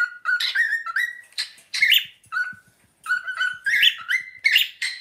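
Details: A male pet cockatiel, one of two named Charlie, whistles "Another One Bites the Dust" in clear, stepped phrases that rise and then hold steady. He gets excited and runs around while performing.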